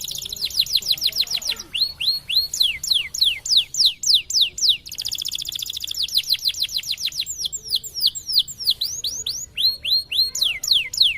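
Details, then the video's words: White canary in full, varied song for tutoring other birds: long runs of fast falling whistled notes, stretches of buzzy rattled trills, then more sweeping notes, continuous for over ten seconds. "Kenari Putih Gacor Cengkok Keren Untuk Masteran || best canary singing"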